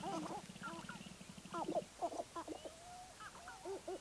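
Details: Sharp-tailed grouse at Baudette, Minnesota: a low rapid pulsing rattle opens, then clucking, warbling mid-pitched notes from more than one bird follow in uneven bursts.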